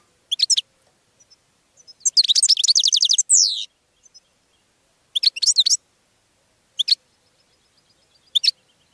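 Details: Goldfinch song used to attract other birds. Quick clusters of high twittering notes alternate with a long, fast liquid trill that ends in a buzzy falling note, followed by further short bright phrases.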